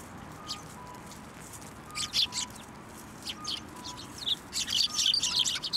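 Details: Sparrows coming to the hand for food at a Tenmangu shrine on 8 December 2023; sparse high chirps build into a dense, rapid chattering burst toward the end, with faint steady tones in the background.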